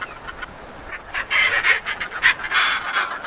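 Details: Raucous, squawking courtship cackles of northern fulmars nesting on cliffs at Foreness, Southeast England, early summer, sunny morning; rapid harsh chattering notes swell into a loud, dense burst after a quieter start, part of the pair's bonding display.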